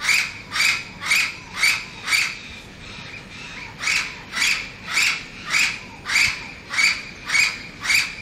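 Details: Orange-winged amazon, a parrot common in town at Lecheria, Venezuela, giving a long series of harsh, raspy squawks about every half second, with a brief pause midway, over steady background hiss.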